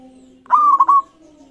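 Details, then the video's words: A single lure phrase from a local zebra dove, used to get other doves singing: a clear coo followed by stuttering, bubbly beats, with a steady low hum underneath. "Masteran Perkutut Lokal Gacor Iramanya Mengundang Lawan Bunyi"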